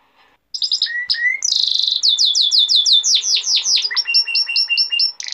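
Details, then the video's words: A brief silence, then a male canary sings a tutor song for young canaries: a few scattered whistles, a long tour of rapid descending sweeps, then evenly repeated paired chirps. "تغريد ملك الكناري ذو حنجرة الذهبية لتحفيظ صغار الكناري"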